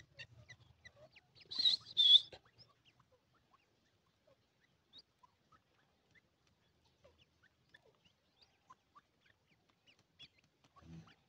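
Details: A grey francolin calls twice, two sharp, piercing high notes back to back early on, followed by a long quiet stretch with scattered faint ticks and a low thud at the end.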